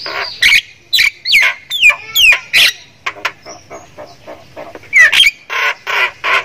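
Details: Thai Javan myna, a caged bird known for laugh-like cackling, sings loud sweeping whistled slurs and harsh buzzy notes, then a run of softer clipped chatter and a final rasping burst.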